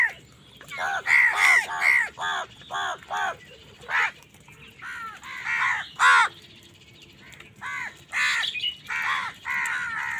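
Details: Several crows caw harshly in bursts of two to four while fighting other wild birds for food, the calls sometimes overlapping in a noisy squabble.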